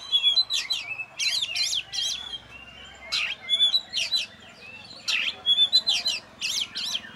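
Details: Lone caged oriental magpie-robin, a champion songbird with no tutor birds nearby. It delivers grouped scratchy, buzzing bursts alternating with thin whistled slurs, with faint low background hum.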